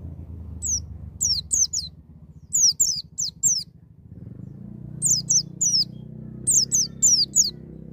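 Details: White-eye singing in the wild "ngalas" style with rapid "nembak" bursts, used to prompt young birds to sing: high, thin descending whistled notes in quick clusters of two to four, over a steady low hum.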